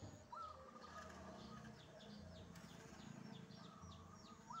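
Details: Wild zebra dove singing early in the morning: a rising note with a run of pulsed coos, a second phrase a few seconds later and another beginning at the end, amid faint chirps and background hum.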